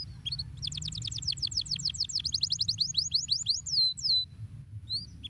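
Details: Canary singing to stimulate other canaries to sing: a rapid trill of high, sweeping notes repeated about three times a second, ending in a longer downward whistle, then a few scattered chirps over a low hum.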